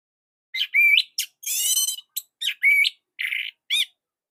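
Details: Orange-headed thrush giving its short master song for tutoring other birds: scattered sharp whistled notes and slurred phrases with one long, harsh buzzy rasp in the middle, separated by brief pauses.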